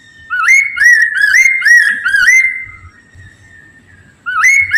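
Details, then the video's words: Poksay mandarin laughingthrush singing as a lure to prompt other birds to sing: a phrase of about five clear, rising whistled notes with bright overtones, a long level whistle trailing off, then a new phrase starting. "PANCINGAN POKSAY MANDARIN"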